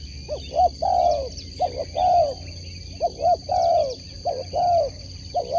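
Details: Spotted dove raised for sport competition, cooing phrase after phrase, each made of one or two short notes and a long arched coo, loud and close with light chirps behind.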